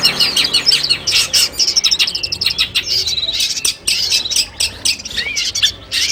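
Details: Long-tailed shrike singing, training audio played to birds before a contest: fast high chatter and twitters, a stretch of rapidly repeated clicking notes, then a few clearer whistled slurs over a steady background hiss.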